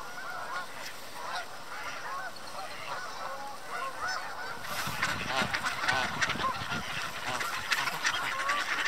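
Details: In winter on snow by water, a flock of Canada Geese mixed with Mallard ducks, approaching in hope of food, gives a steady chorus of overlapping nasal honks, several each second, swelling louder midway.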